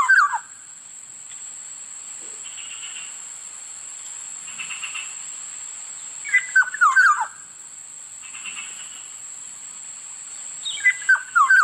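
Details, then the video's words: Black-naped oriole (kilyawan) repeating short, mellow, descending whistled phrases about every five seconds, three phrases in all, with soft hiss and faint distant sounds between them. "Sound of Black-naped oriole Huni ng lapiting kilyawan"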